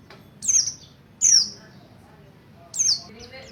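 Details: Mountain white-eye of Buxtoni type rehearsing ngalas ngerol song to attract other white-eyes: three isolated, very high, falling chirps spaced over a few seconds in quiet surroundings.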